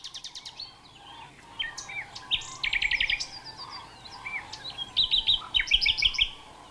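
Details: A common nightingale sings in the Havelland heath region of Brandenburg, northwest of Berlin, in summer: varied phrases with a run of rapid repeated notes, clear whistles, then rich rattling trills, loud and high against faint background noise.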